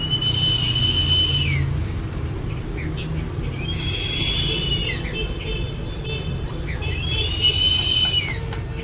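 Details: Crested eagle giving long, high whistled calls with a harmonic ring, each about a second and a half and ending in a slight downward slur, repeated three times roughly every three seconds over a steady low rumble.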